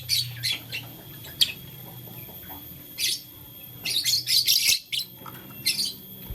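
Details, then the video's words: Blue lutino and green lovebirds playing with a flower give high, harsh chirps in short bursts, a dense run of rapid notes near the middle after a quieter gap, over a low steady hum. "LoveBird Playing Flower - Chirping Sound"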